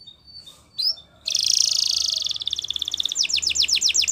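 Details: Belgian canary tutoring young canaries: after a few soft notes, a dense high buzzy trill that breaks into separate pulses, then quick descending whistled sweeps.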